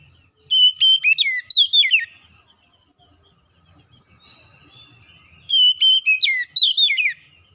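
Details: Kacer song meant to lure and excite other kacer: two phrases of bright whistled notes with rapid slurs and downward sweeps, about three seconds apart, with faint low noise between.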